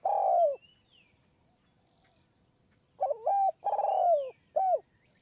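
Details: Perched spotted dove in Kanchanaburi high forest, Thailand, part of a very long 170-coo sequence during decoy trapping; the tail of one falling coo, a pause, then a full phrase of quavering note, long descending coo and brief final note.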